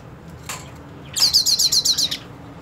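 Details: Hooded siskin, purebred, in a fighting mood toward a rival: near silence, one faint note, then a single bright high trill of about seven rapid pulses lasting under a second.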